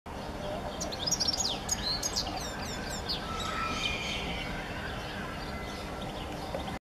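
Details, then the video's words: A European goldfinch in Israel gives a quick burst of bright, tinkling twitters and high chirps, then fades, over a steady low rumble of background noise. "חוחית / European Goldfinch"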